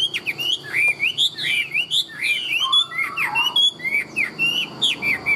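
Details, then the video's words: Tame Chinese hwamei of large build delivering loud, clear whistled song: bouncing notes that rise and fall in quick succession, with a lower warbled phrase in the middle, each note sharply separated. "Chim họa mi thuần - Bộ To - Hót hét rất tốt"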